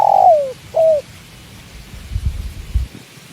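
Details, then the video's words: Spotted dove, called tekukur, in a slow-living scene by water: two mellow coos, the first sliding downward and the second short and falling, followed by soft low thumps. "with tekukur and the sound of water"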